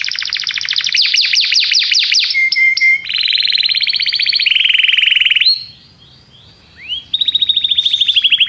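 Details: Caged Belgian canary sings a loud, varied song of rapid trills, buzzy rolls and sweeping whistled notes, changing phrases every second or two; a song played to prompt silent canaries to sing.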